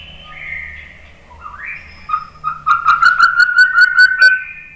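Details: Song of a White-rumped shama used to get other shamas singing: a soft falling whistle, then an upslurred note leading into a rising, rapidly pulsed buzzy trill.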